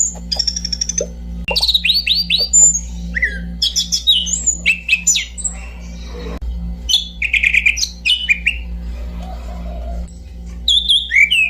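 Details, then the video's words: Orange-banded thrush singing a rambling sequence of buzzy trills, slurred whistles and brief chattering bursts, with pauses between phrases and a constant low electrical hum. "kicau burung anis cendana"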